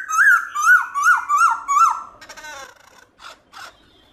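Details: Black-throated laughingthrush in wild-type song: five arched whistled notes, evenly spaced about every 0.4 seconds, followed by a rattling, scratchy burst and two short harsh notes.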